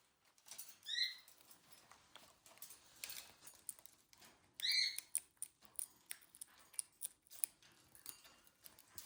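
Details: A female pet Monk (Quaker) parakeet building a nest gives two short, harsh, rising chirps about four seconds apart, with steady crackling and rustling clicks throughout.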